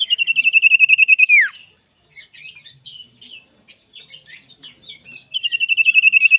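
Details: Sirtu lure song recorded in the morning, meant to provoke rivals: a fast, even run of high whistled notes ending in a sharp downward slur, then scratchy twittering phrases, and the rapid repeated notes return at the end.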